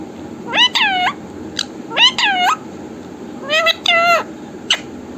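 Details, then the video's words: Talking parrot repeats "Mithu Radhe Radhe" in three evenly spaced phrases of two or three harmonic, voice-like syllables, each ending on a rising note, followed by a brief click. "बातूनी तोता"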